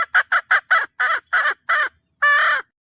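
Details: Red junglefowl hen calling to the rooster: a run of eight short, harsh clucking notes at a quick, even pace, then a pause and one longer, drawn-out harsh note; no other sounds.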